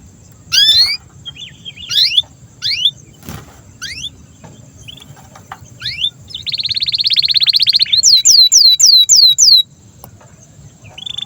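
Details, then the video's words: Canary song used as master song for young and silent canaries: scattered sharp descending chirps, then a fast buzzy trill and a run of repeated high downswept whistles, with quieter gaps and faint background hum between phrases. "SUARA BURUNG Kenari GACOR PANJANG INI Cocok untuk Masteran KENARI PAUD dan Kenari Macet BUNYI"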